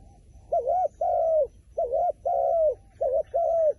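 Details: Wild pigeon calling in soft, low coos, each phrase a short M-shaped note running into a longer even note, three phrases after a quiet start.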